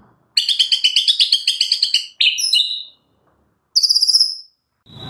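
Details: Shama song in a fast, tight fighting style with sparrow imitations, giving a run of rapid scratchy chirps, a downslurred whistled phrase and a thin high buzzy trill, ending as a new chirp series begins.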